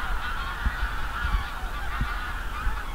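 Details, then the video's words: A flock of geese honks continuously, a dense overlapping chorus of nasal calls, with low thumping bumps underneath. "geese sound effect"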